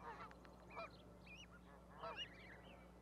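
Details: Goslings on an osprey nest platform at Charlo, Montana, May 12, 2020, beside their mother: scattered thin, arched peeps in small clusters, faint against a constant low electrical hum.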